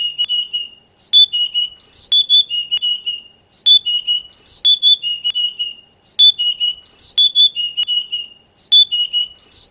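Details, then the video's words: Oriental magpie-robin tutor song, used for training songbirds and best played in the morning or evening: a clear whistled phrase of level notes mixed with sharp high upslurred chirps, looping about every two and a half seconds, no background noise. "Masteran Terbaik Kacer"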